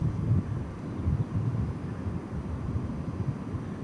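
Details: Low rumbling wind buffeting the microphone throughout, with no animal voices audible.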